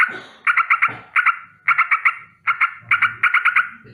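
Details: Sooty-headed bulbul giving a rolling alarm against danger in the morning: rasping notes in quick clusters of two to five, repeated steadily, over a soft low background rumble.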